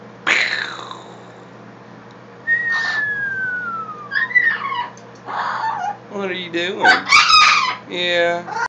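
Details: A pet blue-fronted (turquoise-fronted) amazon, prompted by its owner to "drop the bomb", gives a long falling whistle like a dropping bomb, then rough, buzzy, explosion-like squawks; a person speaks briefly at the start.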